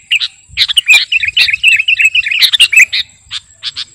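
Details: Sooty-headed bulbul of kutilang garuda type singing energetically for bird-luring: a fast bubbling run of warbled, bouncing notes fading into spaced single chirps, against a faint steady high whine.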